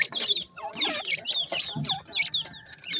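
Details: Baby grey francolins after hatching, calling for their mother: loud, piercing downslurred peeps about every third of a second, with a few lower chirps and light background clatter.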